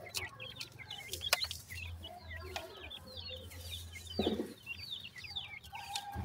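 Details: A group of caged grey francolin chicks in Multan, offered for sale, peep in thin, falling chirps, some doubled. A constant low electrical hum and a brief muffled thump are also present.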